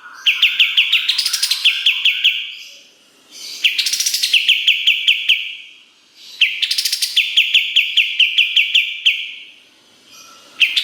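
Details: Kapas tembak singing in a master recording for training competition songbirds: strings of sharp, clipped high notes run into a bright sustained trill, in phrases about three seconds long with short silent gaps between them.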